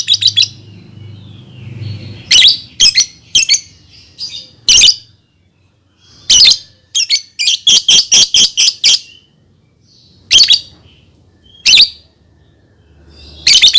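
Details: Lovebird chatter used as a lure for young birds to sing: bursts of harsh, squeaky chirps come in irregular clusters separated by short silences, sometimes in quick runs of five or six notes.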